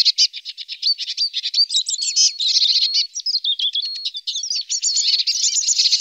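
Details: Feeding on alder cones, a Eurasian siskin delivers continuous rapid twittering with buzzy trills and thin sliding whistles, dense and unbroken throughout.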